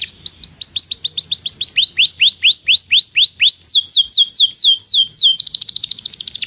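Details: Belgian canary song for teaching canaries that do not sing: tours of fast descending sweeps, each tour at a different pitch and speed, ending in a dense very rapid buzzy trill.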